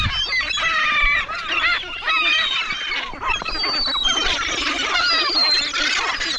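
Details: Hungry gulls piling in and competing for food, a dense overlapping chorus of harsh squealing and mewing calls from many birds, continuous throughout with no pause.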